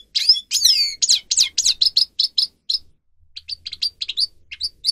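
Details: Grey-crowned goldfinch singing, a recording meant for training captive birds: sweeping downslurred whistles and quick chirps at the start, then a pause and a looser series of short high twittered notes.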